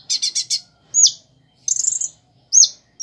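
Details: Kolibri ninja (crimson sunbird) singing vigorously, its song filled with imitations of prinia, sparrow and chick calls: a quick run of four buzzy high chirps, then sharp downslurred whistles and a trilled burst, widely spaced and very high-pitched.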